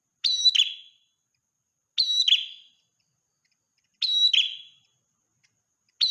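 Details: Ashy tailorbird in lively song for morning and night: loud, high, clean paired notes, each dropping into a brief rasping tail, repeated at steady intervals of about two seconds, nothing else audible.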